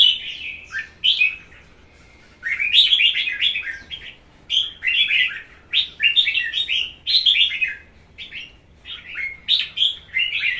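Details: Red-whiskered Bulbul in a cage, one and a half seasons old, in competitive fighting song: a dense series of quick, clear, bubbling whistled phrases in bursts with brief gaps between them.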